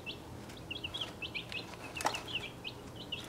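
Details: Chicks about a week and a half old, six breeds including Welsummer and Australorp, crowded in a travel box; dense run of short high peeps, several at once, with a sharp knock and rustling.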